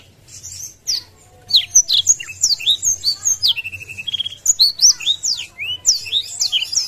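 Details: A Black-throated Canary in full song, wings spread, sings a fast, continuous warble of high, sweet slurred whistles and short trills, with a faint low hum behind.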